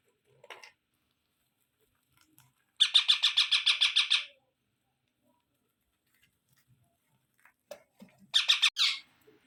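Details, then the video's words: Baby parrot giving a fast string of about ten scratchy, buzzy squawks lasting over a second, then quiet, then a shorter burst of harsh calls near the end with faint clicks. "Baby Parrot Sounds"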